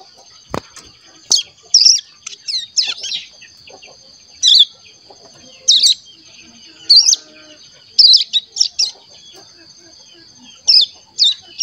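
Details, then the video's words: Crescent-chested warbler chick of just over one month, kept caged, practising song: short high chirps and twittered notes in separate bursts every second or so, with a sharp click near the start. "Cigun Paud Ngeriwik Umur 1 Bulan Lebih Aktif Ngeriwik"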